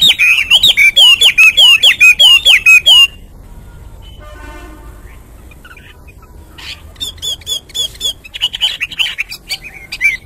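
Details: Morning song of a hwamei: about ten fast, looping whistled notes repeated in quick succession, a quiet gap of several seconds, then more bright whistled phrases resume.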